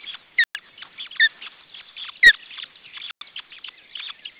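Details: Osprey nest, June 2012, with a second chick present: a few clear falling whistles amid scratchy high twitters, plus sharp clicks, one loud and broadband.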